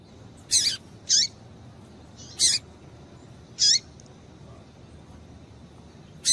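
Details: Female Double-collared seedeater calling to excite males: four separate thin, high notes, each a brief burst with a descending tail, spaced about one second apart, then a pause before a fifth begins.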